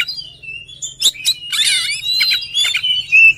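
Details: Song of an oriental magpie-robin, mixing thin whistles with sharp clicks and a dense scratchy warbled passage, ending on a bright sustained whistle; low steady hum underneath.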